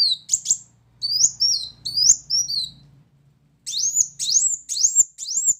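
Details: Tutor song of a brown-throated sunbird with loud 'shot' phrases: varied high chips and slurred whistles, then a row of sharp upswept notes, over a faint low hum.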